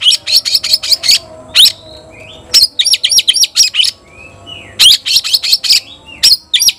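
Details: White-rumped shama calling out an opponent to fight, pouring out rapid high metallic notes in quick runs, broken by brief soft whistled slurs before the bursts resume.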